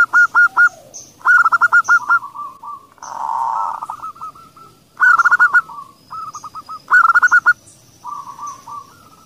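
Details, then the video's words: Local female zebra dove (perkutut) calling, followed by the call of a kerot-style dove, used to stimulate singing: bursts of rapid, clipped, repeated mid-pitched notes with pauses between them and a brief noisy rushing patch in the middle. "Perkutut Betina Gacor Di ikuti Suara Panggilan Perkutut kerot (REKOMENDASI) perangsang suara"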